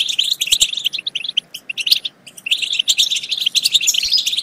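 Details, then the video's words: Bursts of European goldfinch twittering meant to stimulate goldfinches to sing and mate: quick sparkling chirps and trills broken by short silences, with a sharp whistled phrase at the end. "بتبتات خرافية في تحفيز الحسون على التغريد"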